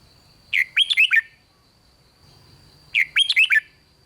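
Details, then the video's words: Song of a caged red-whiskered bulbul in the 'rik' style, meant to stir other bulbuls: two brisk phrases of five or six bright, bubbling whistled notes, spaced about two and a half seconds apart, with a faint constant high tone behind. "เสียงนกกรงหัวจุก ร้อง ริก ยั้วให้นกคึกดีมาก"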